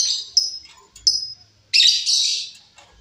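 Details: Wild female lovebird calling, suitable as a lure or training recording: high, thin whistled notes followed by a loud harsh screechy burst.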